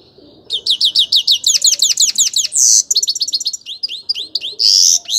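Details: Sweet, rapid song from a grey-crowned goldfinch: a run of rising and falling high chirps, punctuated by two harsh nasal buzzes and quick trilled notes.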